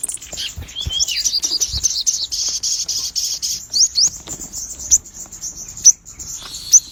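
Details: Sogon song, dense and buzzy: a thick high rattling phrase with a short lower whistled slur early on, followed by scattered sharp rising notes spaced about a second apart.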